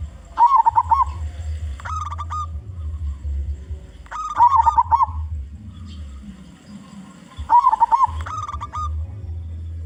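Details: Local zebra dove from Indonesia, loud and big-voiced, used to lure other zebra doves: three phrases, each of short coos ending in a bubbling, rolling coo, about every four seconds, over low humming background noise.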